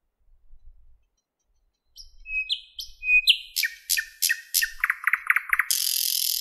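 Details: Singing thrush nightingale in a Moscow park on a May morning in 2016. Soft opening notes build into loud repeated whistles and staccato clicks, then a buzzy rattling trill ends the strophe. Faint low rumble underneath.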